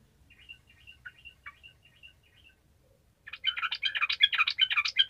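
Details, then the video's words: Sooty-headed bulbul in energetic gacor song, used to prompt lazy bulbuls to sing: faint thin chirps first, then after a short pause a dense, loud burst of bubbly, warbled notes. "TRUCUKAN MALAS LANGSUNG MERESPON DENGAN SUARA TRUCUKAN GACOR INI"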